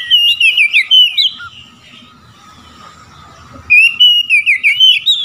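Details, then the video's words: An Oriental magpie-robin sings in the ngeplong style to call out rivals: fast, clear, looping whistled notes in a rolling series, a quieter gap with a steady low tone, then the rapid whistling resumes. "Kacer ngeplong panggil lawan.kacer lain auto nyaut"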